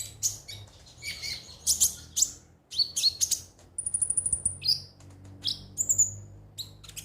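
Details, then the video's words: Ruby-cheeked sunbird song used to stimulate other birds to sing: busy, very high chirping and ticking, a short buzzy trill of rapid repeated notes in the middle, then thin whistled squeaks. "pancingan suara burung KONIN agar rajin bunyi tiap hari"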